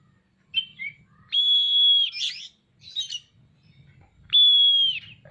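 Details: Oriental magpie-robin singing energetically, called gacor, as it fans its tail open: brief chirps, then long steady whistles broken by buzzy, scratchy notes, a second long whistle near the end over faint low background hum.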